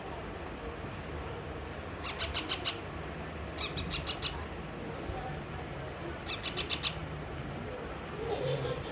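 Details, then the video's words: Baby pet parrot, cross and refusing food, utters three separate clusters of rapid high chirps, each of four to six notes, spaced a couple of seconds apart, amid low background noise and a faint muffled sound near the end. "baby parrot 🦜hua khana ka waste ma gussa aur gussa ka waja sa khana nahi khaya"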